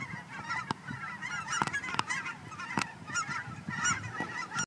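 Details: Geese at Fern Ridge honking together in a loud, busy flock chorus of short nasal calls, broken by several sharp clicks or knocks across the recording.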